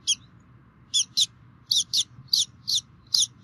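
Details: Bald eagle nest on a Minnesota DNR camera in 2016, both parents bringing food; loud, sharp, high-pitched chirps, often doubled, repeat in quick irregular succession above a faint rumble.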